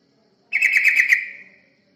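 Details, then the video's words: Yellow-vented bulbul (terucukan), played as a lure for other birds, gives a single short burst of rapid bubbly notes that trails off, with silence around it. "Pancingan burung terucukan"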